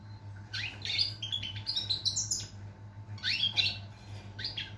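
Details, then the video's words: European goldfinch song recorded 22 September 2023: bursts of bright twittering, tinkling notes and short buzzy trills, two main phrases separated by a pause, over a steady low hum. "Chardonneret , El jilguero , bird , cardellino pezzato , GOLDFINCH SONG"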